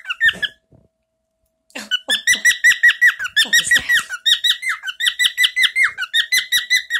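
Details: Pet bird repeating a favourite chirp it sings often. After a brief opening note and a pause of about one second, a long run of quick, squeaky, evenly spaced chirps follows indoors.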